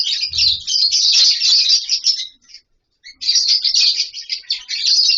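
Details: A captive lovebird colony gives nearly continuous rapid, high squeaky chatter of many overlapping birds, with one brief silence midway.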